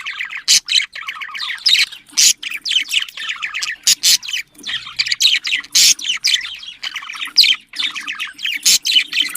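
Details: Budgerigars, small Australian pet parrots, chattering to spur breeding: dense run of quick chirps and clicks with loud sharp squawk bursts and brief gaps.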